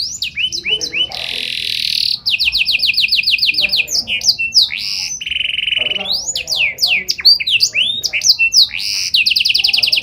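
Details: Energetic canary song in a special melodic style. Dense, loud trills alternate with bursts of varied downslurred chirps and a flat buzzy rattle, with almost no pauses.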